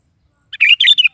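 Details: Morning song of a sooty-headed bulbul, delivered vigorously: one quick phrase of a soft lead-in note followed by three rich, liquid, warbling bursts.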